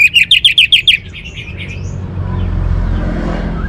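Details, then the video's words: Orange-headed thrush giving a quick run of about six sharp, repeated whistled notes in under a second, then falling quiet while a low rumble of traffic-like noise fills the rest. "suara burung Anis Merah"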